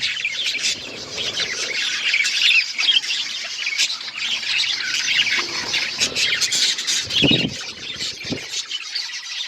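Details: Budgies eating seeds fill the air with a loud, unbroken tumble of high chirps and scratchy warbles, plus a few dull low bumps near the end.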